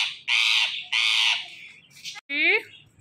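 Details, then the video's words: Indian ringneck parrot uttering two harsh, grating screeches, then a brief scratchy note and a rising, whining call at the end. "Indian Ringneck Talking Parrot"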